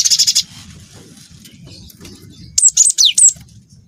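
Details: Glatik watu, or cinereous tit, in canary-filled song: an opening rapid buzzy trill, a pause over soft low rumble, then a tight series of five shrill, falling whistled notes.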